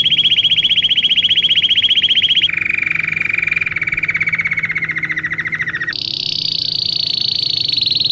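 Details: Belgian canary tutoring song for canaries: a high, fast trill that switches to a lower rolling trill, then to a high, smoothly sustained buzzing tour, each section lasting a few seconds.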